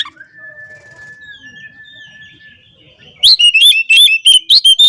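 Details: Oriental magpie-robin calling out opponents. A single long, steady whistle lasts about two and a half seconds, then a loud, fast series of sharp, high, bouncing notes repeats in quick succession.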